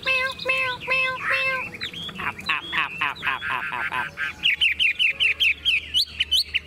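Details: Chinese hwamei in a hand-carried cage, singing hard despite shaking: steady repeated notes, then a dense rattling burst and a quick train of high, rising whistled notes.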